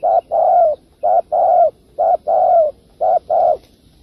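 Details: Spotted dove calling as a trapping lure: steady series of low hooting coos, each a short note followed by a longer drawn-out one falling at the end, about one pair per second.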